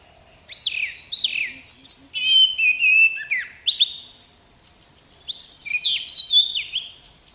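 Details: Oriental magpie-robin, called kacer in Indonesia, in sweet song: two phrases of high whistles, slurred swoops and chips, split by a quiet gap of about a second and a half, over a faint hum.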